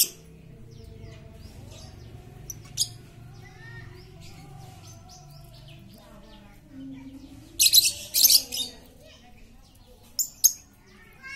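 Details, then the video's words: Noisy lovebird chatter meant to stir quiet lovebirds into singing: a long stretch of soft chirping from other birds, then a run of rasping screeches from about the eighth second, with two more short outbursts later. "Pancingan Lovebird super cerewet untuk memancing Lovebird diam jadi fikter"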